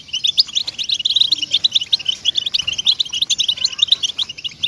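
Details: European goldfinch song played to motivate captive goldfinches to sing: a dense, unbroken run of quick, bright twittering and tinkling notes, high-pitched and chattering, with faint low whistles underneath.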